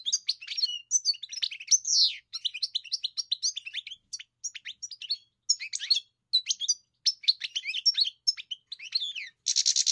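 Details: A kept European goldfinch under song training gives a continuous, varied twittering song of sharp chirps and slurred whistles with brief gaps, ending on a harsh buzzy rasp.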